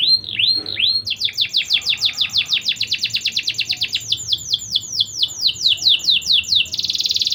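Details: Lure song from a vigorously singing domestic canary, played to raise breeding drive in young birds: a few looping whistles, then a rapid run of repeated rising-falling notes, slowing into rolling downslurs and ending in a buzzy trill.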